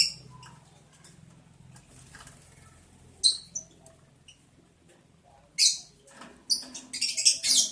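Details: Lovebirds mating in breeding season, day 11 of breeding, July 11, 2022: quiet hum at first, then isolated squeaks, ending in a dense, rapid outburst of piercing chirps and chatter.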